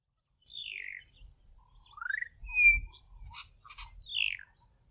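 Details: Juvenile Bokmakierie learning to sing, babbling through many sounds: scattered single notes including down-slurred and up-slurred whistles, a short flat whistle and brief buzzy bursts, separated by pauses, with low background rumble.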